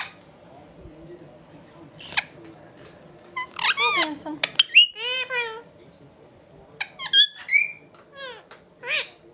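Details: Indian ringneck parakeet brothers chatting indoors: a few clicks, then quick harmonic squawks and wavy chirps in two bursts, the second ending in short rising whistled notes.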